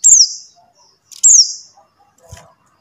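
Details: Call of a buxtoni white-eye, meant to prompt silent white-eyes to sing: two bright, very high whistles falling sharply in pitch, just over a second apart, in a quiet setting.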